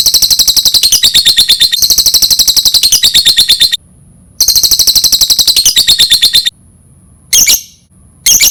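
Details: Lovebird, sound for luring lovebirds: two long bursts of rapid, high, buzzy chatter broken by silences, then short sharp chirps near the end.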